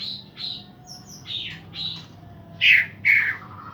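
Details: A pair of green leafbirds sing to rouse other birds that have stopped singing. Short harsh notes and whistles come at uneven intervals, ending with two loud squawky bursts about half a second apart.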